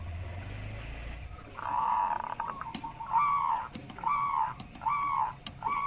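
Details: Local wild zebra dove, bassy-voiced, used as a lure: several hollow, slightly wavering coos of about half a second each, with clicks and knocks in between and a low rumble at the start.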